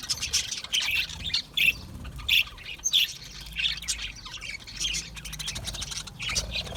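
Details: Budgerigar flock noise: scratchy squawks and twittering chirps in irregular bursts, louder sharp notes standing out every second or so over steady background chatter.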